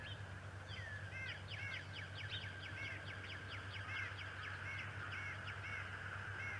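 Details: Bald eagles at the Decorah nest on 11 March 2018, the adult male with feather and grass hanging from his beak; a rapid series of high, piping, slightly falling notes over steady low hum and a constant mid-pitched drone.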